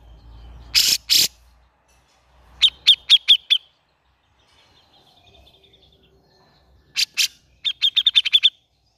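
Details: A Grey-cheeked bulbul recording, used as a lure to get reluctant birds singing, gives two harsh, rasping bursts, then quick runs of five to seven bright, chattering notes at a steady high pitch, repeated twice.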